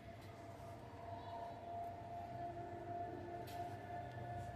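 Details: Quiet steady electrical hum with faint room noise, and no animal call heard.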